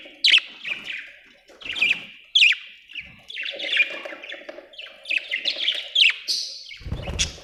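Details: Budgerigar chattering steadily: rapid, sharp chirps and squeaky warbles repeated close together, with a brief low thump near the end.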